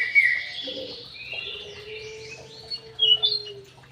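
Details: White-rumped shama in an aviary giving bright high whistled notes and short warbled phrases, loudest at the start and near the end, over a faint steady low hum.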